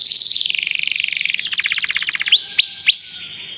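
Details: Canary calling its companion to sing, recorded for song training: a fast buzzy trill held high, then a rapid series of lower pulsed notes, ending with a few sharp rising and falling whistled strokes.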